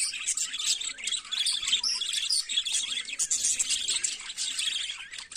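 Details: Budgerigar in the morning, delivering dense continuous high warbling chatter with buzzy and chirping notes packed tightly throughout, almost no pauses.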